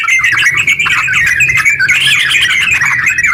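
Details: Sooty-headed bulbul in rapid 'ropel' song, played to stimulate other bulbuls to sing; continuous bright chattering notes that swell upward slightly in the middle before settling.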